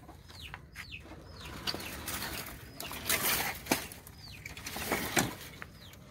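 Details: Farm guineafowl flock following a hen, giving short descending whistled notes at irregular intervals among rustling, flapping and scuffling sounds.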